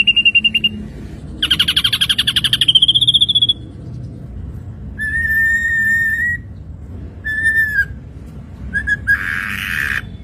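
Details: Ashy drongo training song for songbirds: a short high trill, then a longer buzzy rising rattle, followed by clear level whistled notes and a final harsh burst.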